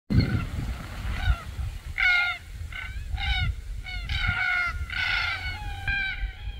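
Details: Wild red-tailed black cockatoos filmed in June 2023 at Keep River National Park, Australia, during courtship and mating. Harsh, grating calls with rich overtones come in short bursts about every second, with some low rustling.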